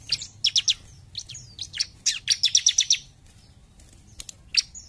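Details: A bar-winged prinia sings actively ("gacor jump shoot"), with clustered sharp chirps leading into a rapid, regular string of high notes, then sparse clicks and a final single chirp.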